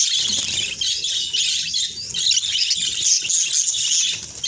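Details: Budgerigars chattering during a bath, a continuous dense jumble of high twitters and squeaky notes mixed with steady splashing noise.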